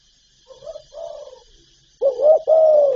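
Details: Spotted dove cooing for stirring decoy birds: two quiet, distant low hoots, then two loud, close, full-toned coos, the last one long and gently falling.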